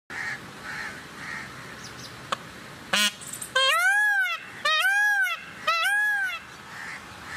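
A peacock gives three loud, wailing calls about a second apart, each rising then falling, after a sharp knock over steady background hiss.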